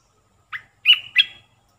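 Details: Olive-winged bulbul decoy song for attracting wild birds: three short notes, a clipped chip followed by two bright slurred whistles trailing off.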